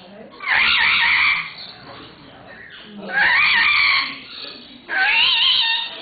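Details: A pair of lories, Erzlori and Schwarzsteißlori, seemingly in love, at Weltvogelpark Walsrode, Germany, in August 2011, give three loud, grating, wavering screeches, each about a second long, with softer chatter between them.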